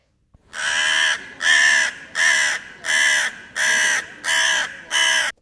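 A crow gives seven harsh, raspy caws in steady succession, about one every three-quarters of a second, each evenly loud. No other sounds are heard.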